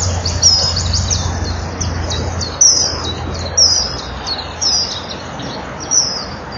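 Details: Male common kingfisher still calling at the nest on an April morning after the female goes into the tunnel; sharp high piping whistles spaced about one second apart, with a low hum and background hiss.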